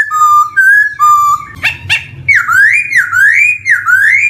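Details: Song of a black-throated laughingthrush, played to coax young birds starting to sing: clear level whistles, two sharp clicks, then a run of loud rising-and-dipping whistled phrases repeated about twice a second, low hum behind.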